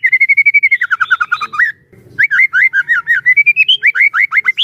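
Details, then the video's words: Prolific White-rumped shama song for stirring other shamas: a steady fast-pulsed whistle run sliding downward, a brief pause, then a long chain of rapid looping whistled notes climbing and varying in pitch. "burung murai batu gacor AMPUH buat PANCINGAN dan MASTERAN murai batu agar bunyi GACOR EMOSI"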